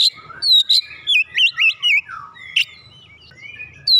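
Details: Oriental magpie-robin song aimed at stirring a reluctant singer: a bright sliding whistle, then a quick chain of rising and falling looped notes, a sharp click-like note, and softer whistles trailing off with a faint low hum.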